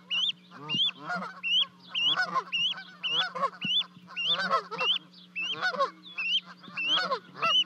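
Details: Livecam at a Charlo, Montana, osprey nest on 12 May 2020, where two goslings leapt 30 feet down to their mother and father. A rapid, steady series of high rising whistles mixes with lower harsh notes above a faint hum.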